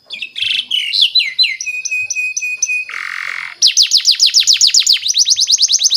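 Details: Canary lure song for young canaries: varied chattering notes, a held whistle with a buzzy burst, then rapid rhythmic descending sweeps repeated in a quick trill.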